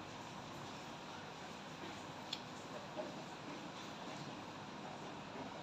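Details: Steady broadband hiss with two brief faint clicks and no animal voice.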